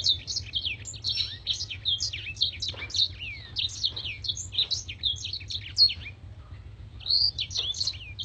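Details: Contest-bird training master of a Blackthroat in long, sharp song: a dense, energetic warble of high chirps and down-slurred whistles running almost without a break, with faint low rumble behind.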